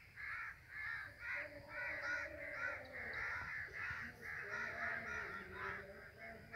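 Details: A flock of crows flying in the sky keeps up dense, overlapping cawing. Grating, nasal notes tumble over one another almost without pause, about two per second.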